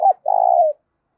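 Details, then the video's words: Single phrase from a decoy spotted dove of the 'giọng thổ' voice type, used to lure wild doves: one short low coo, then a longer, evenly throbbing coo that fades downward. "cu gáy giọng thổ thúc cực đỉnh dùng kích bổi hiệu quả"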